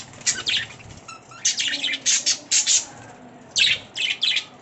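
Budgerigars chirp in quick, high, scratchy bursts, several notes tumbling together in a lively chatter.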